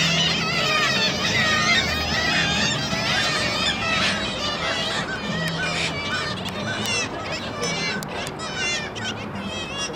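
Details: Gulls calling at the Baltic, Tyneside, on 2 April 2023: a dense, overlapping chorus of many birds giving harsh, wavering, laughing calls almost without pause, with steady low urban rumble underneath.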